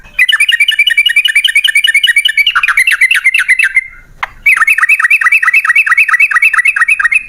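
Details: Yellow-vented bulbul giving its long rapid 'ropel' song, used as a lure for other birds: loud continuous runs of fast repeated chirps, about four notes a second, broken by one brief pause.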